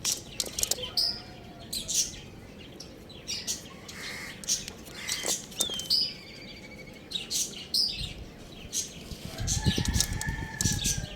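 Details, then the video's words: Little rooster chick playing on a roof, giving sparse short high chirps, a few sliding downward, spread across the recording among frequent sharp clicks and rustling, with a low rumble near the end. "Beautiful Little Rooster Chirping Sounds"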